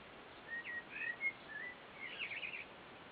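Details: Common blackbird (Turdus merula) singing a phrase of low, mellow fluted whistles, then a quicker scratchy twitter, over a soft outdoor hiss.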